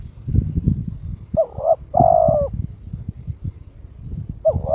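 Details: Kept spotted dove, a male in breeding condition, calling to challenge a rival: low hollow coos, a quick double note followed by a longer drawn-out coo, with a clipped coo starting at the end, over rustling background noise.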